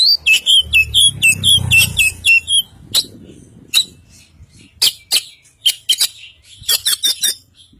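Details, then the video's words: White-breasted Oriental magpie-robin, Kacer Poci from East Java, in full isian song: a fast series of about eight bright whistled notes, then sharp clicks and scattered chattering notes over low rumbling. "Burung Kacer Poci Jawa Timur Full Isian"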